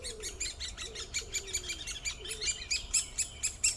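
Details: Great spotted woodpecker calling with loud, abrupt, high clicks in quick succession that grow stronger toward the end. A few faint low, sliding notes sound beneath them.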